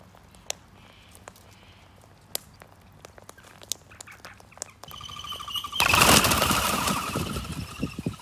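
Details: Sulphur-crested Cockatoo flock feeding on seeds in an Australian backyard after rain, sometimes startled into flight; scattered clicks and taps give way to a loud, harsh, grating screech of about two seconds, then fainter rasping calls.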